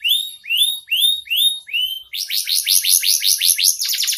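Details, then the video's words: Canary master song, clear: five separate rising whistled phrases, then a rapid high rolling trill of chirps. "Masteran kenari super mewah. Suara Jernih"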